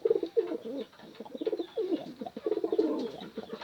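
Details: Pigeon calling to a female: overlapping low cooing notes, some wavering and rolling, run together with short gaps across the clip, in a small, echoey indoor space.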